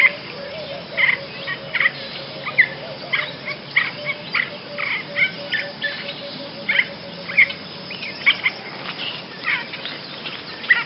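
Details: A Basra reed warbler's song for tutoring songbirds: a sustained stream of harsh chatter and rasping clicks, notes spaced under a second apart, with a faint steady tone and hiss beneath.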